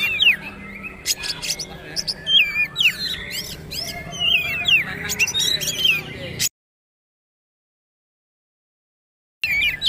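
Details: Trotol-style singing of a poci-type Oriental magpie-robin, meant for caged birds to copy: scattered sharp chips and twisting whistles over background chatter, broken by three seconds of total silence before the sound resumes.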